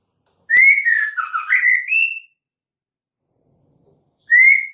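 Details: Female white-rumped shama call, used to lure males into singing: a clear whistled phrase sliding down and back up, with wavering notes, then a brief pause before another rising whistle begins.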